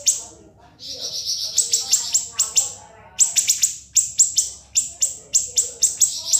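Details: Shrill siri-siri song as tutor material: a quiet start, a sustained high trill, then a brief pause followed by a long run of sharp, stabbing notes at a quick, regular pace.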